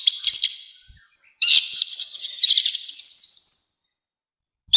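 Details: Orange-headed thrush singing loud, harsh song meant for tutoring and provoking other birds: a short burst of high chirps, a pause, then a long run of rapid, sharp, repeated whistled notes that fade out, with a brief note at the end.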